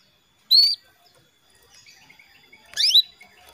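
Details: Female canary calling the male, used as a lure for male singing: a rising whistled note, then after about two seconds a rougher call that sweeps downward, with faint chatter in between.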